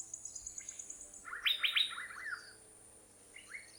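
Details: An Asian fairy-bluebird in Thailand gives a quick burst of bright, liquid notes, then a single rising whistle; a thin, high insect-like hiss runs throughout.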